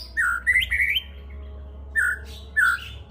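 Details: White-rumped shama song with learned cililin phrases: clear whistled notes near the upper-middle range, a quick run of rising slurred whistles, then after a pause two short separate whistled phrases, over a steady low electrical hum.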